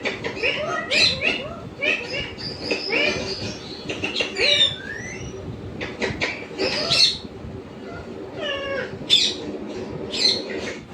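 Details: A domestic pet parrot vocalizing in bursts of short chattering harmonic notes and brief rising whistles spaced irregularly over several seconds, over a constant low background rumble.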